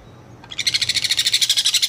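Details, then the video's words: A sun conure chick gives a harsh, raspy chatter of rapid pulses, about a dozen each second, held steady after a quiet start. "sunconure chick sound"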